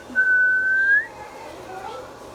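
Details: Indian ringneck parakeet kept as a talking pet whistles one sustained, level note for almost a second, rising slightly at the end, then falls quiet.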